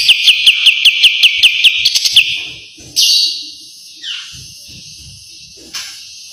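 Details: White-eye (kapas tembak) master song with tight besetan trill: a rapid run of about ten high piercing chips over a steady shrill tone, fading into a few isolated buzzy notes.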